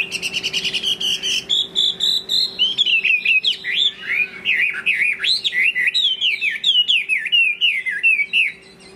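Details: Chinese hwamei singing in the late afternoon: a clear opening of repeated rising whistles, then a long run of fast, looping, warbled phrases sliding up and down, over a steady low electrical hum.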